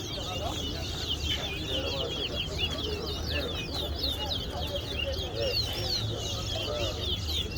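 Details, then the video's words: Two Chestnut-bellied seed finches (Blacko and Lil General) in a TowaTowa song competition at Guyana National Stadium sing rapid, sweet, high warbling phrases over a noisy crowd while a man counts aloud. "TowaTowa Bird Competition"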